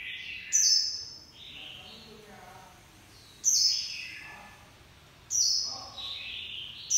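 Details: Japanese white-eye song in 'líu pha choè' style: three high, descending whistled bursts with twittering tails, spaced about two seconds apart, over faint background noise.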